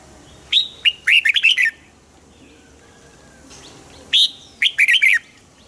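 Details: Caged red-whiskered bulbul repeating its song, two phrases each opening with a sharp whistled note followed by a chattering series of rolling, slurred syllables.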